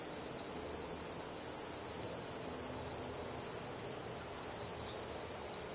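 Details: Steady hiss of broadband background noise with a low hum and one brief faint click, no animal voice.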